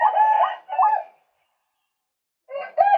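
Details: Male white-breasted waterhen in a lure recording, giving two loud harsh croaks with upward flicks, then after a silent gap another rough croaking burst begins.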